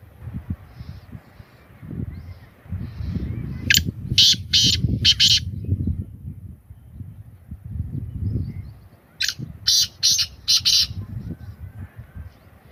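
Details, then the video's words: Black francolin (kala teetar) repeating its harsh call: two bursts of four to five rasping notes about five seconds apart over a steady low rumble. "Beautiful voice of black francolin Kalay Teetar Ki Awaz Kalay Teetar Ki Boli Sindhi teetar ki awaz"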